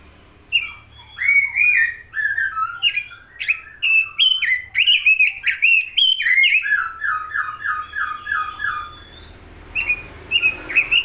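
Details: Robin singing a lively, varied song of bright whistled phrases, slurred notes and chattering, including a run of six quick repeated descending notes, with short pauses between bursts.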